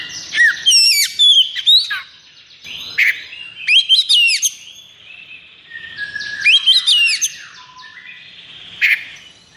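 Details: Oriental magpie-robin singing in the agitated, high-breeding 'konslet' style. Clusters of rich whistles, rising and falling slurs and harsh chips come in bursts, with brief quieter gaps between phrases.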